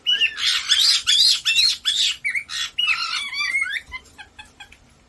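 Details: Indoor household of four pet caiques, black-headed and white-bellied, screaming together: a loud, continuous run of rasping shrieks and sharp whistled squeals, rapid and overlapping, tapering into softer chirps at the end.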